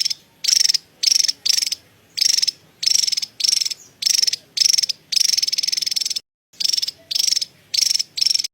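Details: Javan tesia cerecet chatter: short, high, buzzy trilled bursts of about half a second, repeated roughly twice a second with brief silences between, one longer burst mid-way.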